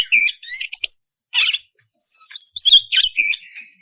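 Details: Oriental magpie-robin singing in the ngeplong style as a lure to make untrained magpie-robins answer and sing; loud, varied bursts of high whistles and buzzy, chattering notes in quick phrases, with a brief pause near mid-clip.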